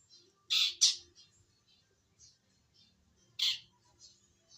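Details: Young long-tailed shrike from the wild starting to sing, giving two loud grating squawks in quick succession, a softer scratchy note, then another loud rasp after a pause, with faint chirps between and low background rumble.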